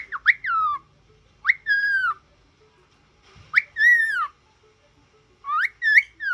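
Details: Cockatiel under song-and-speech training repeats a bright whistled phrase, a quick upward flick then a drawn-out descending whistle, four times with pauses of about a second between, in silence.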